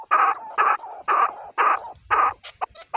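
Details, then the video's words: Male chukar partridge call, used by hunters: five strong, hoarse chuk notes about half a second apart, followed by a few thinner, higher clipped notes. "Avcılık için erkek keklik sesi | Ov üçün erkək kəklik səsi | partridge call for hunting"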